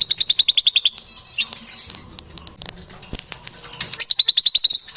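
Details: Strange sounds and crunching chatter from lovebirds: a rapid string of harsh, high clicking notes, a quieter pause with faint scratchy rustles, then another fast burst of shrill chatter near the end.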